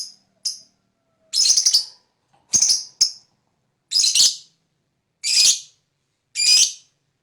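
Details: Lovebird fighter, used as a lure to set other lovebirds chattering: rough, shrill, squawking bursts repeated about once a second, each burst buzzy and strongly harmonic, with brief clicks between.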